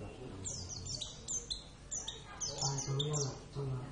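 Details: Kept pet Oriental white-eye of the Javan race, Zosterops palpebrosus javanus, singing actively: quick bursts of high, thin, sharply descending whistled notes in clusters, with a low steady hum and some talking underneath.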